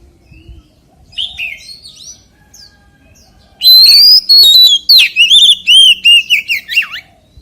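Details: White-rumped shama in forest-voice song: soft scattered notes, then a loud burst of bright whistles, sharp upslurs and rapid rolling phrases that drop away at the end.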